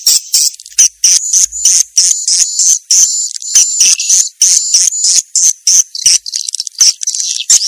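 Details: Lure sound of swiftlets, 'janda' style from Vietnam: bursts of shrill, rapid chirping twitters, about three bursts every second, separated by brief gaps.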